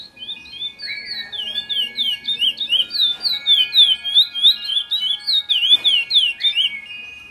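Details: Chestnut-bellied seed finch (curió) singing in the praia song style: a fast run of clear, slurred whistled notes, each sweeping up and down, delivered about three per second, with a faint steady tone behind.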